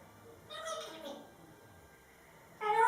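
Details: Pet male grey parrot, a talking bird, vocalizing while dancing: a short speech-like harmonic phrase early on, a quiet pause, then a louder, brighter burst of mimicked voice at the end.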